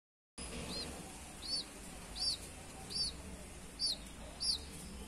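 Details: Baby chick, one of a group of colored chicks from a chicken farm, kept outdoors in nature, giving high, arched, thin peeps, six in all, repeated about every 0.7 seconds over a soft steady background hiss.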